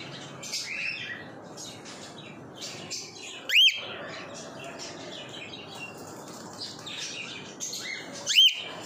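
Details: Adult male albino cockatiel gives two loud, arched whistled calls about five seconds apart.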